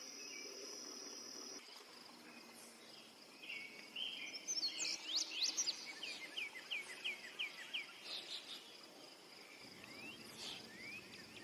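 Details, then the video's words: Indigo bunting (Passerina cyanea) singing a bright, high run of paired notes: sharp falling sweeps, then evenly repeated chips, ending on an upslurred note, over a steady insect drone. "Indigo bunting song / call / sounds"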